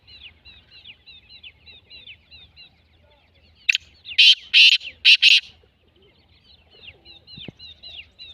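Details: Black francolin giving one loud, rasping call of four quick grating bursts in the middle. Steady, high, twittering chirps of other small birds run throughout.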